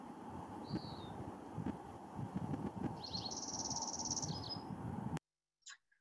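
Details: Male Dark-eyed Junco (Junco hyemalis) sings a high, dry trill: three quick introductory notes, then one note repeated very rapidly for about a second, ending in two short notes, over a low background rumble.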